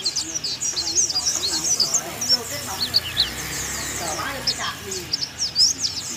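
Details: Oriental white-eye from Thailand, a tutor recording of bongkar isian singing: bursts of sharp, high chirps and squeaky slurs run through the whole stretch, with lower murmuring sounds beneath.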